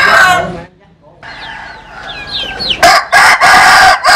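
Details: Rooster from a collection of Vietnamese and American Sil chickens: a crow fades at the start, soft chirping follows, then a loud staccato series of harsh bursts begins a new crow near the end.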